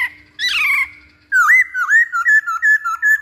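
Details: Masked laughingthrush used as lure sound: a rich buzzy falling note, a pause, then a quick series of short clear whistled notes, about five in a row, each dipping slightly, over a faint constant hum.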